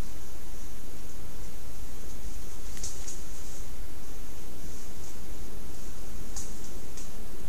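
Steady low hum and hiss from a trail camera, with a few faint clicks and rustles and no animal calls.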